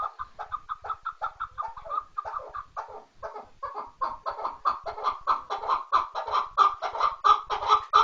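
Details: Chukar partridge with a repeated chuck-chuck call. The notes start fairly soft and irregular, then build into a louder, steady rhythm of about one and a half per second.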